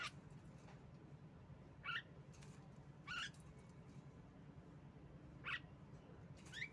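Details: Female Javan myna, used as a lure to get other birds singing: short, harsh, rising calls repeated every one to two seconds over a steady low hum, with faint high chirps behind.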